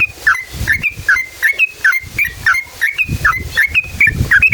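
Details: Sooty-headed bulbul in lively "ngalas ropel panjang" song, used as a lure to make other bulbuls sing; a rapid series of clear whistled notes, alternating falling and level phrases, repeated over one per second, with faint low rumble.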